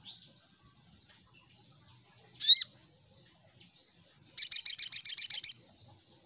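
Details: Little spiderhunter lure sound: soft, thin, high notes, one loud squeaky call, then a rapid burst of about ten sharp high chips over one second.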